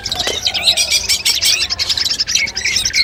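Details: Long-tailed shrike master song used before a contest to test the bird's nerve: a fast, unbroken stream of high twittering notes, some sharp and whistled, with no pauses.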